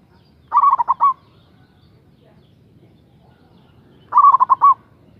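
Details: Big-voiced local zebra dove used as a lure for rivals: two emphatic phrases of about six rapid rolling coos, roughly 3.5 seconds apart, against a quiet low background.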